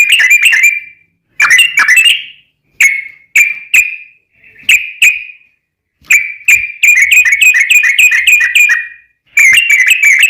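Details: Sooty-headed bulbul giving lively lure song to set other bulbuls singing: short bursts of ringing whistles separated by gaps, building to a fast chattering trill and a final burst.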